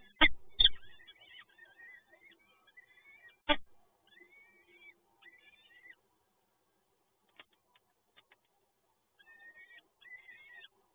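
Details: Begging peregrine falcon chicks at feeding time, nest in Toruń, Poland, 30 April 2022: loud knocks at first, then strained, quavering cries that fade to quiet and return in a short burst at the end.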